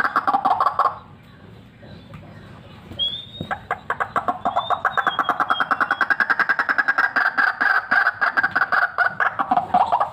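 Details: White-breasted waterhen kept as a vocal fighter for luring: a brief croaking start, a quiet gap, then a long, fast, steady series of coarse repeated notes, with a thin whistled note from another bird near the fourth second.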